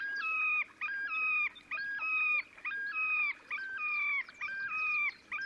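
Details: Displaying Terek sandpiper recorded at Oka Nature Reserve, Russia, on 30 April 2019: a rhythmic run of ringing two-part notes, a higher whistle stepping down to a lower one, repeated about once a second.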